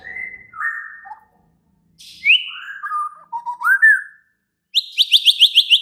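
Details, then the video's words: White-rumped shama song, described as agitated and actively raging: clear whistled phrases sliding downward, a sharp rising note, then a quick run of about seven repeated trilled notes at the end, after short pauses. "Murai batu langsung EMOSI TERPIKAT suara murai batu ngamuk AKTIF ini"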